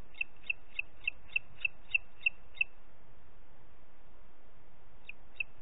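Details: Booted eagle at Parc Natural dels Ports on 30 June 2021, 11:01: nine quick high piping notes in a row, a silence of over two seconds, then a few more notes.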